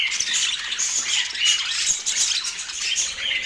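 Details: Budgerigars in Portland producing a loud, constant squawking chatter, raspy buzzes layered with sharp high whistles, dense and without real gaps.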